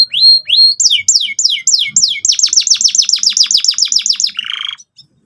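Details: Canary song for teaching young canaries: a rising whistle, a few slow down-slurred notes, then a quickening series of about fifteen falling chips ending in a short buzz.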